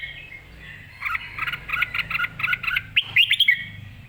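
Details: Red-whiskered bulbul, excited and ready to compete, singing clearly: after a quiet start, a fast run of bright chirped double notes, then rising whistled flourishes near the end, over a low steady hum.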